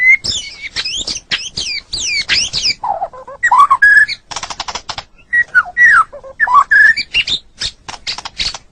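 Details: White-rumped shama, a caged songbird, mixing high forked whistles, low rattling notes and sharp clicks into a varied, broken song.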